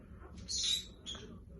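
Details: Pet bird mimicking a person's sneeze: a sharp, hissing, sneeze-like burst lasting about a third of a second, followed by a shorter, fainter hiss about half a second later, over a quiet low indoor hum.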